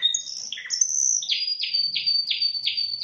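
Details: Spanish timbrado canary, Indonesia, opening with a few varied whistled notes, then a bright sustained high tone broken by five regular descending notes, about three per second.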